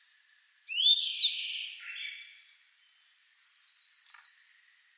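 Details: Sub-adult grey bunting singing at Kagami Pond, Togakushi, trading phrases with a Siberian blue robin: a high rising whistle into tumbling chirped notes, then a dry, rapid, even trill.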